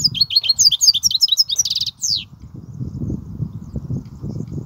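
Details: European goldfinch singing in the kubiya song style: about two seconds of rapid, high, tinkling twitters and buzzy trills in quick succession, then the song stops, leaving low rumbling background noise.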